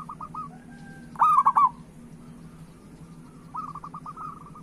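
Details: A local zebra dove sings to prompt other doves into song: one loud, rapid, stuttering cooing phrase, surrounded by quiet, quick runs of short, level coos.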